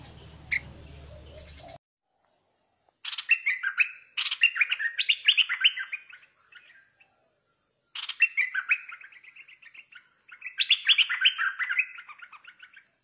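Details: Bulbul of the fierce singing style pouring out long phrases of rapid chirping whistles that slide downward, three bursts separated by silences, after a brief noisy opening.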